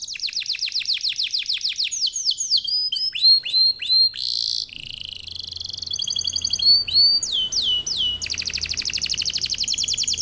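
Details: Canary singing as a lure for other canaries: long varied song of repeated downslurred whistles, sharp rising notes, buzzy bursts and rapid trills, loud and continuous.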